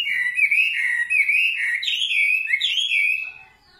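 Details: A nightingale's song: a dense, fluttering run of high warbled notes with small upward flicks, fading out at the end.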